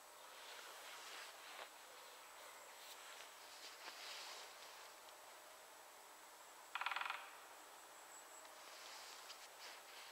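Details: Two great spotted woodpeckers (Dendrocopos major) drumming in competition in central Poland; one short, rapid drum roll under half a second long, with faint background hiss.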